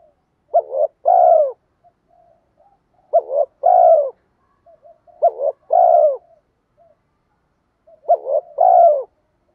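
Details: Spotted dove cooing as a decoy to excite wild doves: a steady series of four two-part phrases, each a quick double coo then a longer descending coo, about every two and a half seconds, with faint murmurs between.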